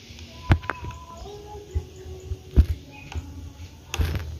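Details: Low hum with sharp knocks and thumps at irregular intervals, a few faint brief tones, and no clear animal voice.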